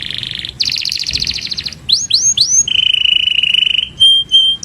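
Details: Canary master-style song, said to call friends and fight: buzzy trills, three swooping rising whistles, then a long flat steady whistle and short high notes.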